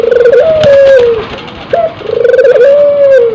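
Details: Cooing from a tekukur and puter cross-bred dove ready to breed: pulsing roll leading into a smooth, slightly falling drawn-out note, a short rising hoot, then the pulsed roll and long note again.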